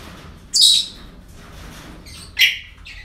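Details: Parrot calls at a breeding centre on an ordinary day: a loud, harsh screech followed later by a shorter, lower squawk, with faint background chatter and room noise.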